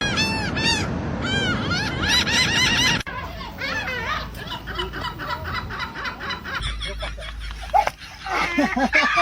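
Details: Seagulls laughing by the sea: a rapid series of loud, harsh, arched yelping notes with rich overtones, then an abrupt cut to scattered gull calls over background noise, closing with another quick burst of laughing notes.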